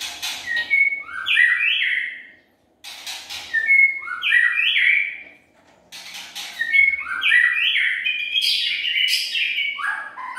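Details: White-rumped shama lure song: three similar loud phrases of fluted, stepping-down whistles about every three seconds, the last extended into a longer, varied run.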